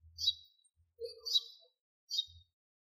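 A sparrow gives three quick bursts of bright, high chirps, each about half a second long, with brief pauses between them. A faint low hum sits underneath.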